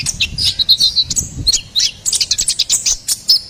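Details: Energetic song of a ruby-cheeked sunbird: dense, high-pitched twittering of sharp chips and short whistles, tumbling quickly in bursts about every fraction of a second.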